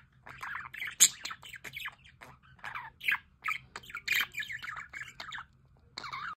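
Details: Budgerigars by a solar water fountain, chattering in bursts of scratchy warbles, squawks and sharp chirps with short pauses between phrases, a faint low hum beneath.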